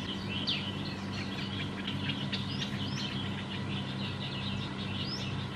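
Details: Black-headed bulbul in Khao Yoi district, Phetchaburi, Thailand, December 2020; quick chattering notes with a few clear upslurred whistles standing out, set against a constant low droning hum.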